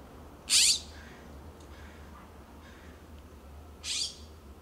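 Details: Backyard California scrub-jays in Pacific Grove, California, calling to one another among oak and cypress; one loud harsh rasping call, then a softer answering call about three seconds later.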